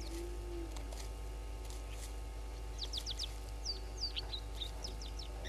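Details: Red-billed buffalo weavers at Gowrie dam waterhole, Djuma Game Reserve, Sabi Sand, South Africa, at 07:22 on 31 Aug 2021, give short, high chattering notes in quick runs, with other birdsong and a steady low hum.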